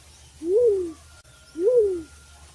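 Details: A captive Black-chinned Fruit Dove kept as a decoy bird gives two low, mellow hoots about a second apart, each rising then sliding down, over a quiet background.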